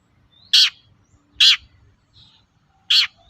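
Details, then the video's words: Long-tailed shrike calling, used as a lure to get other shrikes to answer: three short, harsh, rasping notes about a second apart with quiet gaps between, plus a faint low hum. "SUARA BURUNG PENTET GACOR AMPUH UNTUK PANCINGAN CENDET LAIN AGAR NYAUT"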